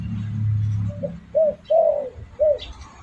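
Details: Spotted dove coos used as a lure call to attract birds: after a low hum, a short soft note leads into three arched, hollow coos, the middle one longest, spaced about half a second apart.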